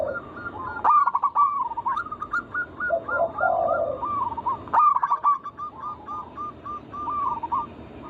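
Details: Several local zebra doves singing together, a recording meant to lure other doves into song: rapid runs of short hooked cooing notes, overlapping strings from more than one bird, with lower, softer purring coos beneath.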